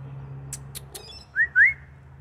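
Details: Four-year-old male blue-fronted amazon giving two clear whistled notes in quick succession, the second longer and rising, after a few soft clicks. A low steady hum runs underneath.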